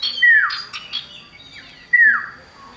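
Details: Common iora male and female singing, meant to lure birds into song: two loud, clear whistles sweeping steeply down, separated by fainter chattering notes and a high thin tone.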